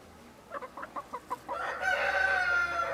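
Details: Partridge Araucana chicken: five or six evenly spaced soft clucks lead into a long, loud harmonic call.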